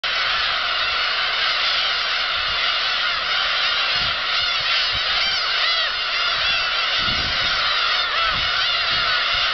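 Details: Black-tailed gull flock at Kabushima, Japan, taking off on 13 March 2016: a dense, continuous chorus of many overlapping mewing, wavering calls, with a steady wash of sound and no pauses.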